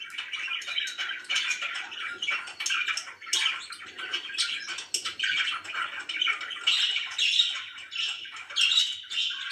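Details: Happy pet budgerigars chattering continuously, a mix of short chirps, scratchy warbles and squeaks from more than one bird, with a faint watery background.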